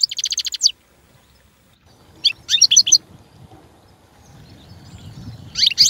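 European goldfinch in three quick bursts of high, tinkling twitters, each under a second, with pauses between; a faint low background rumble underneath.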